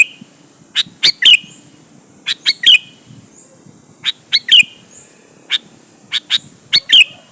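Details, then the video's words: Sooty-headed bulbul in lure song intended to make other bulbuls respond and sing; repeated phrases of two or three bright chirps finishing in a twisting slurred note, about five phrases in seven seconds. "suara burung KUTILANG GACOR MENEKAN LAWAN"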